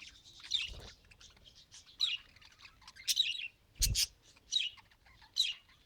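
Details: Budgerigar trying to talk: repeated high, harsh chirps and squawky warbles about once a second, broken by two loud thumping clicks, over faint background noise.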